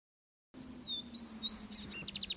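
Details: Palestine sunbird, known locally as sudud, singing: thin whistled slurred notes rising and falling, then a quick burst of sharp, rapidly repeated high ticking notes at the end, over a steady low hum.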